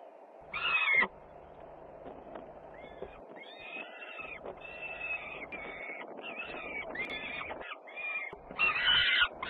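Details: Peregrine falcons at Włocławek, Poland, 3 June 2010, feeding twice as the sister Luna returns home very noisily: harsh, raspy calls in a rapid series of short bursts, with loud screaming cries at the start and end, over a steady low hum.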